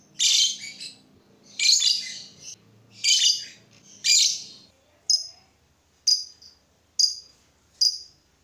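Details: Lovebird calls meant to draw other lovebirds into song: four harsh squawking bursts about one and a half seconds apart, then four short sharp high chirps spaced roughly a second apart.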